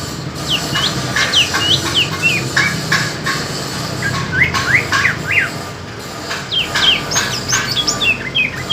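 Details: Two greater green leafbirds, one from East Kalimantan and one from Alas Purwo in Banyuwangi, compete in song: rapid sweeping whistles and chirps in clustered phrases, with sharp clicks and a low background rumble.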